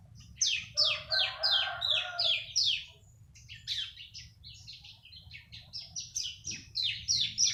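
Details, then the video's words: Three-month-old bar-winged prinia singing: rapid series of high, sharply descending notes repeated about three per second, a pause, then a second faster run of thin downslurred notes; a soft lower warbling underlay and steady low hum. "BURUNG CIBLEK UMUR 3 BULAN"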